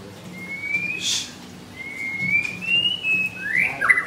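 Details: Caged white-rumped shama in full song at a bird shop in Kemayoran, Jakarta, Indonesia. Long, clear, slowly rising whistles are held for about a second each, ending in a brighter warbled flourish, with a constant low hum behind.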